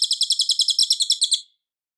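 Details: Cililin singing loudly and clearly, material for White-rumped Shama training: a dense, rapid run of bright, high, sharply repeated chirps, about nine per second, ending abruptly after one and a half seconds into silence.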